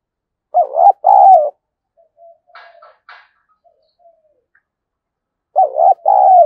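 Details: Spotted dove giving a fight-provoking coo used to stir up decoy birds, in the 'thổ' voice style: two loud, low, wavering cooing phrases, each a short note then a longer rolling one, separated by a few faint quiet notes.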